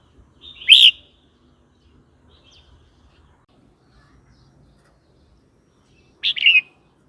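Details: Red-whiskered bulbul song for teaching young birds and provoking rivals: two brief, loud, bright whistled phrases about five seconds apart, with quiet between.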